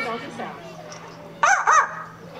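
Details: A male Yellow-naped Amazon at African Lion Safari, 17 May 2009, imitates a yappy small dog's bark with two sharp, harmonic yaps in quick succession.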